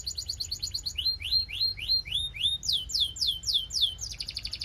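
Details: Belgian canary singing a series of tours: fast high chips, then slurred rising whistles about four per second, then sharper descending sweeps and a closing rapid buzz.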